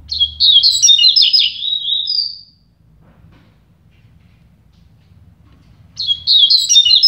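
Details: Two double-collared seedeaters in a song dispute; a loud, rapid phrase of tumbling high chirps ending in a thin whistle, silence for over three seconds, then another fast chirping burst begins; low hum beneath.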